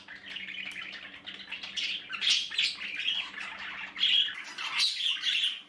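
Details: Baby budgies in the nest produce steady hoarse, scratchy cries, several voices overlapping and rising in louder pulses, over a faint low electrical hum.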